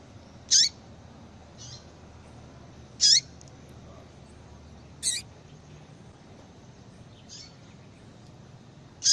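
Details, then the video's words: Calls of a female yellow-bellied seedeater meant to stimulate a male into breeding condition: short, high, sharp chirps spaced unevenly about two to three seconds apart, some softer, with faint low background hum. "fêmea de coleiro baiano chamando Muito Para Esquentar coleiro baiano"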